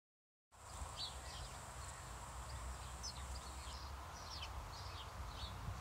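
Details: House sparrows feeding; short, sharp chirps scattered across the clip, a few each second, over a steady low rumble and a faint, continuous high hiss.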